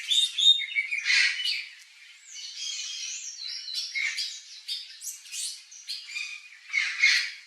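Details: Turquoise-fronted parrot, a wild bird of Brazilian wooded habitat, producing loud nasal squawks, shrill whistles and chattering notes, in irregular bursts that rise and fall, with overlapping voices at moments.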